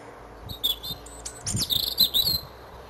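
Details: European robin in a hawthorn tree at Edgcumbe, Wendron, Cornwall, on a cold grey January morning, delivering a brief high phrase of thin whistled notes and a fast twittering trill, with faint low background hum.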